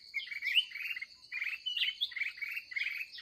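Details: Red-whiskered bulbul, a combative wild bird encountered late in the day at a trap site: quick bursts of bubbly, scratchy chirps with a few clear whistles, a high insect buzz running steadily underneath.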